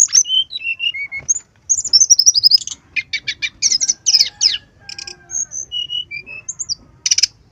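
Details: Brown-chested jungle flycatcher song meant to stir birds into singing: whistled notes stepping downward, a rush of high chatter, repeated rasping strokes, scattered thin whistles and a final harsh burst.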